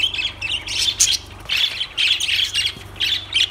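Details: Lovebird calls come in loud, shrill bursts of squawks and twitters, separated by short quieter gaps, with a constant low droning hum behind.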